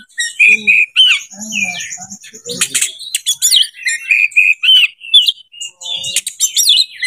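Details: Breeding-condition Oriental magpie-robin song meant to lure other birds; clear sustained whistles alternate with sharp sweeping notes and harsh buzzy bursts, delivered in rapid phrases with short gaps.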